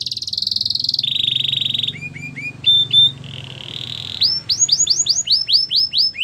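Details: Belgian canary singing a varied run of tours: a steady buzzy high trill, then a lower rolling trill, short clipped notes, a brief pure whistle, and finally a fast series of downward-sweeping notes repeated several times each second.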